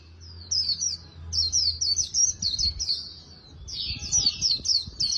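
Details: Oriental white-eye in training, singing a very fast 'líu đấu' warble, the style of a fighting or contest song said to resemble a magpie-robin's voice: rapid, high, sweet twittering phrases of squeaky slurred notes in bursts, with a brief pause and low hum beneath.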